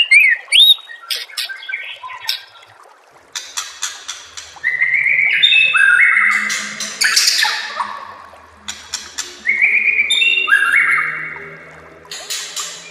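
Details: A white-rumped shama sings a master song for caged-bird training: sharp clicks and rattles, then long, loud, ringing whistled phrases that step downward, repeated in a pattern over several seconds.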